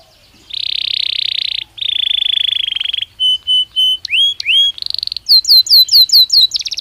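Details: Belgian canary in natural song, giving two long buzzy rattles, a few level whistled notes, two rising slurs, a flat whistled phrase and a quick series of falling sweeps.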